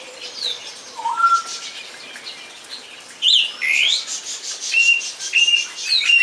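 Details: Singing song thrush: scattered whistles and scratchy notes, then a crisp short note repeated three times near the end.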